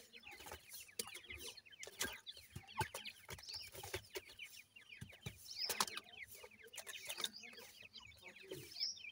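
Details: Seven-day-old grey francolin chicks while feeding: a dense chorus of short, high, down-slurred peeps overlapping continuously, with scattered sharp clicks and knocks throughout.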